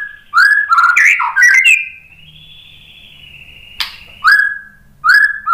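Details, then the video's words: White-rumped shama song used as a lure to provoke a reply: rich whistled phrases around the middle pitch, a long steady whistle, then sharp upslurred notes repeated near the end. "SUARA MURAI BATU Untuk Memancing EMOSI JADI NYAUT GACOR"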